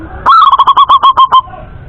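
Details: Clear song of a male local zebra dove, Indonesia: a quick run of about ten short, bright, bubbling coos, the first slightly higher and longer, the rest evenly spaced over just over a second, then quiet.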